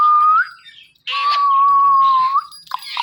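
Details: Indian ringneck parrot pair, male and female, kept as pets, calling in the morning from a door: a short rising whistle, then a long steady whistled note ending in an upward flick, with rasping chatter around it.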